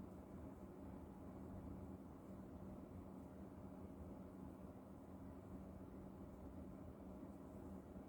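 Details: A steady low engine-like rumble runs throughout with no animal voice.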